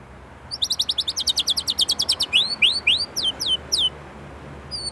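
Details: White-rumped shama from Indonesia singing a lively, varied 'isian' song: a fast train of sharp high ticking notes, then a run of loud downward-slurred whistles repeated about three times a second, ending in a few thin notes.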